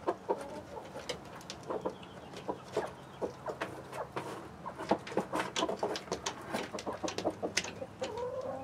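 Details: Chickens in a backyard flock of hens and a Rhode Island Red rooster, with Light Brahma, Barred Plymouth Rock and White Leghorn hens, streamed live: busy overlapping short clucks and chatter from several birds, with a few rising squawks near the end.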